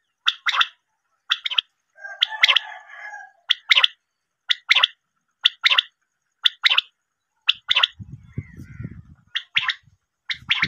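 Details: Female common quail calling for hunters: short, sharp paired notes repeated roughly every second, broken once by a brief lower, noisier burst, with a low thud midway.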